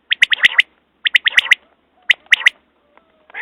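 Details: Quail calling in tight, quick groups of three to five sharp, high notes, each group spaced about a second apart; faint thin tones and a rising rasp at the very end.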